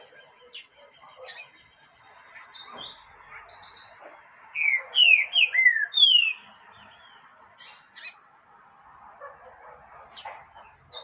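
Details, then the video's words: Female yellow-bellied seedeater calling to excite a male: scattered high chips build into a bright burst of clear downslurred whistles near the middle, then thin out again to sparse sharp ticks over a low murmur. "Femia fogosa pra levanta papa capim ?"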